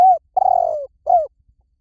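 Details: Spotted dove coos in a clean recording: an arched note, then a long rolling, gently descending coo, and a final downslurred coo.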